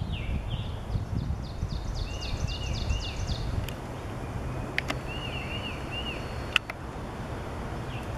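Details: Scarlet tanager (Piranga olivacea) at Swansea Village Park, Massachusetts, on the afternoon of 14 May 2016, gives short, hoarse, burry, robin-like slurred phrases, with a quicker, higher series of notes, a few sharp knocks, and steady low rumble.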